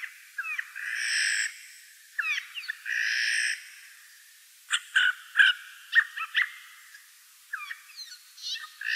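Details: Eurasian jay calling on a morning in the Wittlich valley, 2018, with two rough drawn-out screeches followed by a burst of sharp clicking notes and bright chirps from nearby birds.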